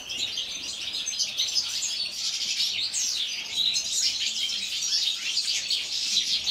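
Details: European goldfinches kept in an aviary, singing in wintertime. Fast, liquid twittering fills the whole stretch, with sweeping downslurred notes and sparkling trills woven through a continuous high chorus.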